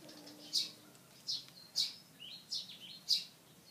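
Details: A pied fantail perched in a tree and spreading its tail utters five loud, piercing chip notes at irregular intervals of roughly half a second to a second, with faint lower twitters in between.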